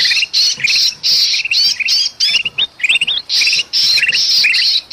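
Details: Noisy kutilang emas bulbul and a trapped bulbul from Sumatra, a bird-luring recording: rapid run of rasping squawks broken by short, bright, upward-flicking chirps.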